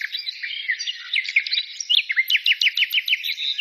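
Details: Short burst of chattering birdsong: jumbled high twitters at first, then a steady run of about ten quick, sharply falling chirps.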